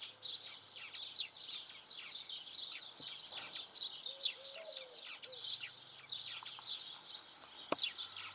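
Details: Eurasian tree sparrow, a locally seen sparrow recorded singing: a dense, continuous stream of short high chirps and twittering notes, with a few lower whistled notes briefly heard in the background.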